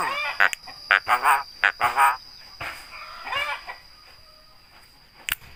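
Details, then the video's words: Javan myna that mimics human greetings and coughing delivers a run of repeated voice-like syllables in quick pairs, then quieter muttering and a sharp click, with faint background noise. "BURUNG JALAK BISA NGOMONG,UCAP SALAM BATUK DAN LAIN-LAIN"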